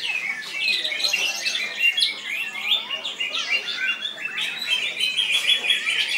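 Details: Caged greater green leafbird delivering a loud, rich song of rapid mixed whistles, chattering notes and sweeping high slurs, continuous for several seconds.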